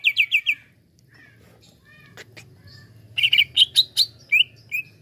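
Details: Greater green leafbird heard as a lure for other leafbirds: a short burst of rapid chirps, a quiet gap, then a looser sequence of separate bright whistled notes at varying pitch over a low steady hum.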